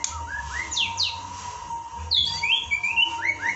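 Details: Murai (white-rumped shama) song from an Indonesian masteran training recording: sweet upward-sliding whistles and sharp downward slurs, spaced at irregular intervals, with a steady faint electrical hum underneath.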